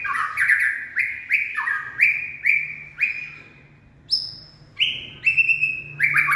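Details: Late-afternoon song of a white-rumped shama, called a purebred singing and dancing bird: clear whistled notes falling then rising, repeated roughly every half second, with brief pauses and occasional high sharp notes over a faint low hum.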